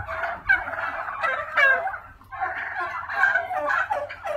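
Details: Several Black Spanish turkeys at a hatchery, domestic breed, give bursts of harsh rattling gobbles, each lasting about a second with short gaps between, overlapping one another in a small indoor space.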